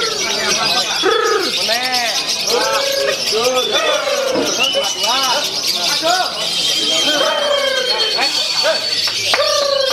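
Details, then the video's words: Competition lovebird performing a long-running konslet song on the contest pole, scoring over 2,800 points. Rapid, overlapping arched chirps and squeaky twitters pour out without pause, with thin high whistles and a man's exclamation at the start. "Love Bird KONSLET KAISAR DURASINYA Bikin GEMPAR"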